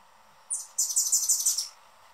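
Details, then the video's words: Male Anna's hummingbird guarding the perch at his favorite feeder and being noisy. One thin high note comes first, then a fast burst of dry, scratchy chips lasting about a second. The background is quiet. "Anna's Hummingbird sounds calls chirping"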